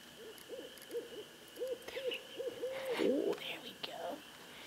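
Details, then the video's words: Barred owl called in by a person, answering from a distance with a quick run of soft, arched hoots, about ten in three seconds, followed by a rougher, wavering note, with faint laughter and voices nearby. "Our Barred Owl Friend"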